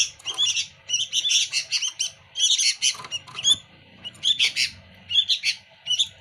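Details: Sooty-headed bulbul (kutilang) in lively, noisy full song: dense bursts of bright chirping and warbled notes in quick clusters, short pauses between phrases, no other clear sounds.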